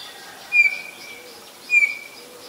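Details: Black-collared starling in Ubon Ratchathani, Thailand, on 17 April 2022: two clear, thin, high whistles about a second apart. Each opens with a sharp accent and trails into a longer, level tone over a steady background hiss.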